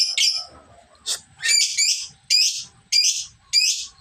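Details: Lovebird learning ngekek, the prolonged chatter song, as it begins to last longer; loud shrill chirps repeat roughly every half second over soft low background noise.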